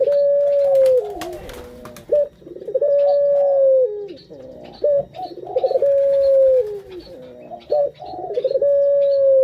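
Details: Barbary dove (puter) calling to stimulate other birds. A long even coo sags at its close, then a short bubbling roll follows. The pattern repeats about every three seconds, with scattered thin chirps in the background.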